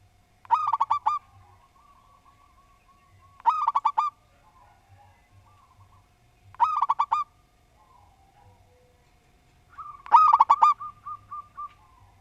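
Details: Local Javanese zebra dove singing actively: a crisp, rapid series of stuttering coos bundled into short phrases. Four phrases arrive about every three seconds, with soft trailing coos between them over a faint low hum.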